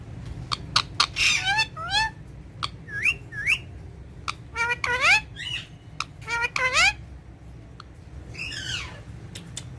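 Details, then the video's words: Green ringneck parrot talking with a mirror, in Urdu and Hindi: lively clusters of rising harmonic chirps, clicks and short squawks, then one rougher, lower call near the end over a faint hum. "Green Ringneck Parrot In Urdu Hindi Talking With Mirror"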